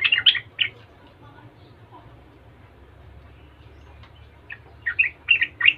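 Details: Yellow-vented bulbul, an excited, chatty singer said to provoke other bulbuls into answering: clusters of short, bright chirping notes at the start and again near the end, with a quieter gap between and a low hum beneath.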